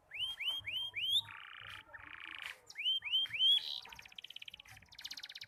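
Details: Young canary practising its song, still broken and halting: quick runs of arched whistled notes, repeated about four times, separated by harsh buzzy rattles, ending in higher fast buzzy trills.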